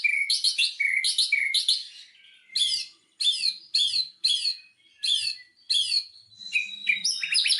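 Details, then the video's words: Lure song of a white-rumped shama meant to trigger singing: harsh buzzy chatters with downslurred whistles, repeated in separated bursts, ending in a tangle of rising and falling notes. "pancingan murai batu macet langsung buka materi"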